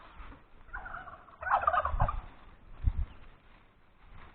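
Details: Chickens grazing in a forest: one bird gives a nasal, harmonic, slightly wavering call lasting about a second and a half, with low thumps and rustling of movement on the ground before and after.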